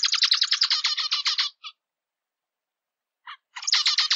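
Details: Singing zebra finch delivers a rapid buzzy motif of stacked nasal notes for about a second and a half, a couple of isolated short calls during a pause, then the buzzy series resumes.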